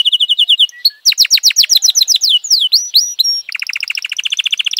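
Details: F1 canary in full song, delivering bright, rapid trills of repeated falling notes that change tempo and tone, with slurred sweeps in the middle and a fast buzzy roll at the end.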